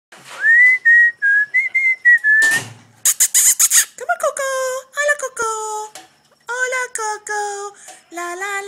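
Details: Pet female sulphur-crested cockatoo being silly: a sustained whistled tone near one pitch with slight wavers, then a burst of harsh noise and a series of nasal, harmonic-rich calls, some falling in pitch.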